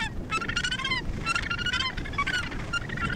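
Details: Australasian gannets calling at the Point Danger colony near Portland, Victoria, Australia. Rapid, grating, nasal calls with rich harmonics come in quick overlapping runs from several birds, some notes dropping in pitch. A low background rumble sits underneath.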